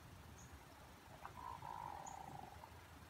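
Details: Hooded merganser courtship-display call, likened to a pickerel frog: a single low, drawn-out, froglike rolling croak of about a second, sagging slightly in pitch, over steady background hiss.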